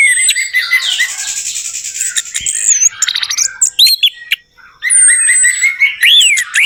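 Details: Orange-headed thrush song as a lure for a bird that will not sing: busy high warbling and buzzy trills, a brief pause, then more fluid whistles ending in rising slurred notes.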